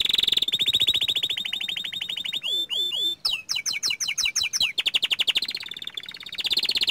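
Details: Song of a young canary: a fast rolling trill, then sharp downward-swooping notes and quick rising chirps, ending in another rapid buzzy roll.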